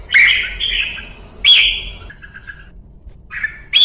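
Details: Bright whistled notes from a Red-whiskered bulbul in Vietnamese song training, two strong phrases, a soft string of lower chirps, then a short call and a fresh note.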